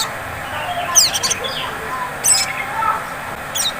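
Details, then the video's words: Sunbird, local name sogon, in a lure recording of the ngleper style meant to provoke singing. Three short bursts of sharp, high, sweeping chirps come about a second apart over a steady hiss. "Pancingan SOGON ngleper cocok untuk memancing bunyi SOGON ngriwik"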